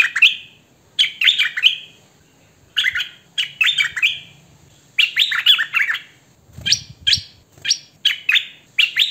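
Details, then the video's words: Loud, melodious hwamei song: clusters of quick slurred whistles in phrases roughly two seconds apart, ending in a run of sharp repeated notes. Recorded by phone or camcorder. "Hoành hoạch thơm mồi hót chuẩn hay"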